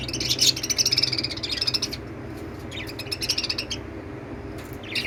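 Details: Lovebirds chirping: dense high-pitched twittering and chatter in quick bursts over steady low background hum.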